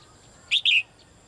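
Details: Female bird calling to the male, heard calling every day: one loud, high two-part chirp, a short bright note followed at once by a longer, slightly falling one, over quiet background.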